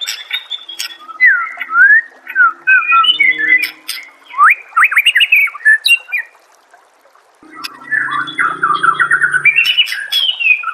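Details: White-rumped shama song used as master song for training caged birds, with nature sounds: varied loud whistled phrases, rising and falling slurs, a brief pause, then a rapid run of notes over a low rumbling background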